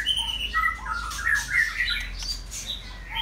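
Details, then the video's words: Male white-rumped shama kept caged as a model, singing brisk warbled whistles that jump between pitches, several notes a second, over a low hum. "White Rumped Shama"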